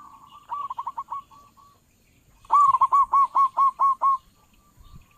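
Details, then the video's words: Zebra dove, a local bird with a strong voice kept as trapping lure: a quieter stutter of quick coos, a short gap, then a loud, evenly spaced series of about eight hooked, ringing notes. "perkutut lokal suara besar cocok buat para pemikat burung perkutut"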